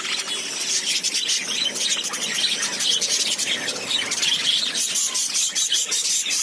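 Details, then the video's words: A crowd of lovebirds keeps up a busy stream of high, scratchy chirps and squeals, overlapping calls forming a steady wall of sound with brief louder bursts near the end. "Love birds 🐦 happiness"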